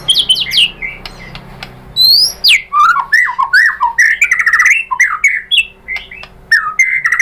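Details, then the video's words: Lure song of the white-rumped shama, played to draw answering birds: high rising whistles give way to a dense run of varied chattering, slurred and trilled notes. "pancingan MURAI BATU BIKIN EMOSI NYAUT GACOR BONGKAR MATERI ¦ PANCINGAN MURAI ¦ SHAMA BIRD"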